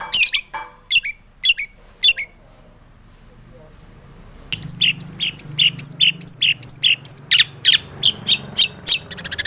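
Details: Long-tailed shrike song used to excite other shrikes into singing: a few spaced harsh high notes, a brief pause, then a busy stream of scratchy chirps and chatters.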